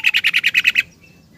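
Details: Morning 'ropel' song of a yellow-vented bulbul seeking a companion, used to lure other birds to sing: eight loud, clipped notes in a quick rattle, then silence.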